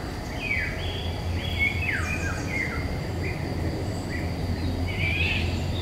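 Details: Eurasian golden oriole, woodland, May 2021, recorded on a Nikon Coolpix P1000. A series of clear, descending whistled notes in quick sequence, then a brief buzzy burst near the end, over low steady hum.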